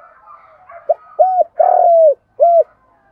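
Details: Morning call of a decoy spotted dove luring others: a soft murmur of distant doves, then a clipped note, a rounded coo, a long quavering coo and a final rounded coo.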